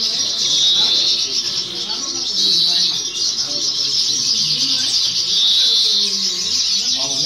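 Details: Young first-year European goldfinch singing during a 2018 or 2019 song competition: continuous high, rapid twittering and tinkling trills, with low human voices murmuring underneath.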